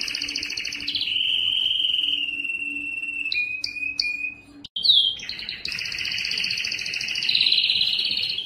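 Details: Yellow canary with a long steady rolled note, a few clipped chirps, a brief gap, then a rich buzzy double-toned trill held to the end.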